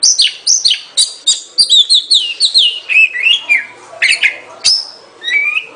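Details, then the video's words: Oriental magpie-robin in full song: rapid descending whistled slurs and short sharp notes in a lively, continuous sequence, tapering into softer phrases near the end. "เสียงนกกางเขน ร้องชัดเสียงชัด 2020 Oriental magpie robin"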